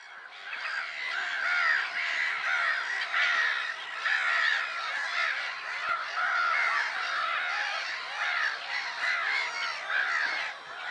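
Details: Black-headed gulls at Lake Sarymsak, Pavlodar Region, Kazakhstan, on 10 April 2011: a dense, continuous chorus of harsh, grating cries from many birds overlapping without pause, steady in loudness throughout.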